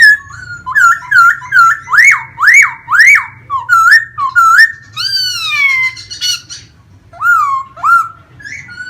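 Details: Caged laughingthrush singing and dancing with fanned feathers; a long run of loud, looping, rising and falling whistles roughly every half second, a buzzy twisting phrase midway, then more slurred whistles.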